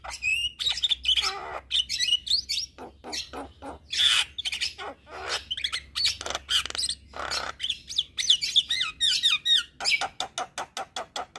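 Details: Vigorous Javan myna song used for training other birds, with scratchy rapid clicks, buzzy bursts and high slurred whistles running almost without a break, including a loud harsh rasp near the middle.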